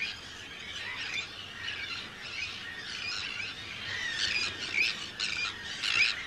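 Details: Breeding colony of hundreds of Arctic terns, Rottumerplaat, Netherlands, 4 June 2023: overlapping shrill, rasping calls, with several louder, closer cries toward the end.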